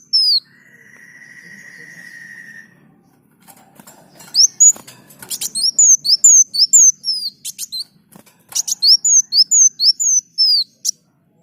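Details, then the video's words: Kolibri daun sunbird singing as a training model for other birds: a steady thin buzz, then quick series of very high, sharp slurred whistles interspersed with clicks and ticks, repeated in bursts with brief gaps. "Masteran Burung Kolibri Daun Gacor"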